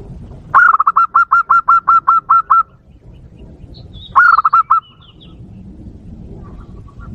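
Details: Zebra dove call used as a lure to provoke wild doves: a long run of about eleven evenly spaced, mellow, pulsed coos, a pause, then a shorter burst of five quick notes over low background rumble.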